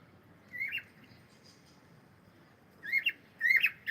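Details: Cockatiel singing, pet bird: a single whistled upslurred phrase near the start, then quiet, then two more short warbled whistles with harmonics close together near the end.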